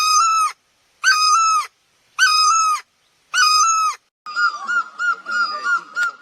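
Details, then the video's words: Great barbet of Asia (Thai นกตั้งล้อ) giving four loud, ringing, nasal calls about a second apart, followed by a quicker, more distant series of short dipping notes. "Great Barbet, นกตั้งล้อ, Pehˇ oˍ, Piˇ oˍ loeˇ, Pi luˇ ma"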